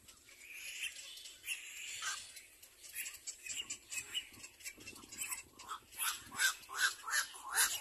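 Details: Little black cormorant, a mother with her chick as she teaches it to clean: high, squeaky, buzzy calls repeated about two to three times a second, growing louder and more regular toward the end.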